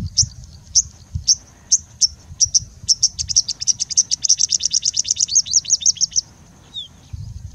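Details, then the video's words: Singing bushlark in India singing continuously with mimicry of other birds: high sharp chips, spaced at first, then speeding into a rapid even trill of about twenty notes before stopping, with a faint low background rumble. "Singing Bushlark singing and mimicking for more than three minutes straight"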